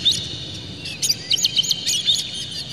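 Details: Oriental magpie-robin song aimed at provoking other magpie-robins: a quick series of scratchy high chattering notes over a steady hiss and low hum.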